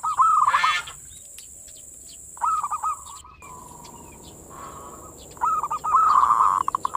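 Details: Perkutut (zebra dove) manggung song used to bait local doves and raise their mating drive: three phrases of rolled coos with stuttering breaks, a faint sustained tone between them, and a constant high hiss.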